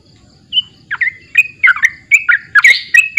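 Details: Opening with a soft high whistle, a sooty-headed bulbul then breaks into short, bright, rising whistled notes in quick clusters, growing louder toward the end over a faint low background hum.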